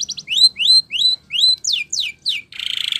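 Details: Spanish Timbrado canary song used for training canaries: clear high rising whistled sweeps repeated about three per second, then falling slurred notes and a fast metallic trill at the end.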